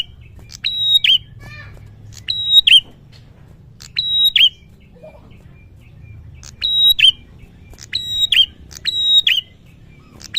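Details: Prinia in full, lively song: loud, bright bursts of rapid high stacked chirps ending in a sharp flourish, repeated about every one to two seconds, with a soft low hum underneath.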